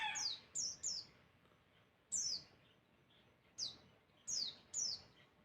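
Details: Bird performing a masteran song so others answer back: single and paired piercing downslurred whistles spaced irregularly, one to two seconds apart, against a quiet background.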